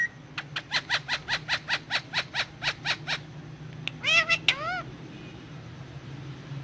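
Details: Indian ringneck parakeet on pillows, talking in Urdu/Hindi: about a dozen evenly spaced, harsh pulsed notes roughly four per second, then a short burst of harmonic, arched squawky syllables, with low indoor hum behind.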